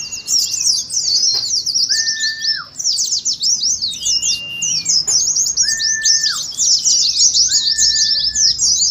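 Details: Continuous high twittering of Oriental white-eyes in ngeriwik style, meant to stir caged birds and mimic a contest. Lower, drawn-out slurred whistles repeat every couple of seconds beneath the busy chatter.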